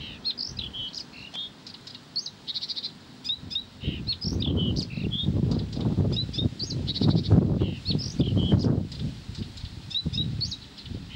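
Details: Blyth's reed warbler singing without pause: varied high whistled and chattering phrases run continuously, while loud low rumbling noise swells through the middle of the recording.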